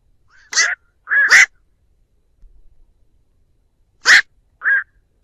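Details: Night heron, black-crowned, calling the flock in a lure recording: a few harsh barking croaks, including a rapid doubled call, then single notes after a pause, with faint low noise between.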